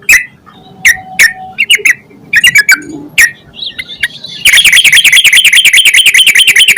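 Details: Vigorous yellow-vented bulbul song intended to make other bulbuls sing quickly. Irregular sharp chirps and short note clusters give way to a sustained rapid, rasping chatter of repeated notes.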